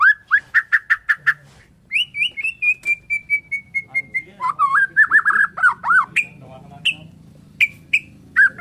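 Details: A white-rumped shama from Borneo gives its morning song, starting with a rapid stutter of repeated notes, then a long chain of descending whistled notes, wavering phrases and scattered high whistles.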